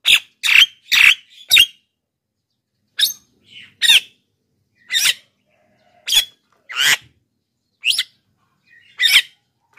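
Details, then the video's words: Rapid cluster of four grating squawks, then further harsh bursts spaced about a second apart: Black-winged myna song used as a lure for wild birds and a model for reluctant singers. "masteran JALAK KEBO super gacor,pancingan untuk bahan dan jalak yg malas bunyi"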